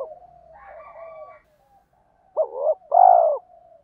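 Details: Spotted dove calls from male and female birds, aimed at exciting wild males for decoy training: a soft wavering hum gives way to one loud low phrase, a quick double note and a long hollow coo.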